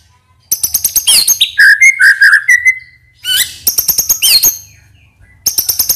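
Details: Caged white-rumped shama mixing rapid sharp chips with lower rich whistled notes, singing in energetic bursts separated by brief gaps.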